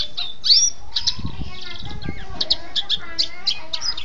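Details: Canary tutor song meant for teaching other birds, heard as scattered high chirps and short whistled notes over steady low background noise.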